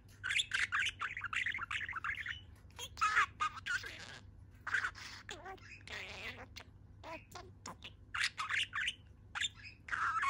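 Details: Cheerful budgerigar raising one foot while it chatters: rapid, buzzy warbles and clicks in clustered phrases with short gaps, continuing for about ten seconds.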